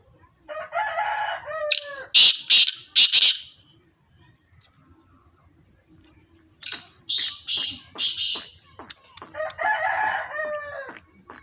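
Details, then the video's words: Pair of black francolins (Irani teetar): repeated runs of loud, harsh, scratchy bursts, two series separated by a quiet gap, with softer chattering, ladder-like notes before and after. "teetar black teetar irani teetar pair sound of teetar"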